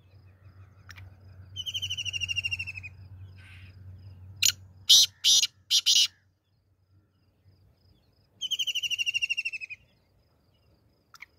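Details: Black francolin (black partridge) call: two harsh, fast-pulsed, slightly falling phrases about seven seconds apart, loud knocks between them, a low hum at the start.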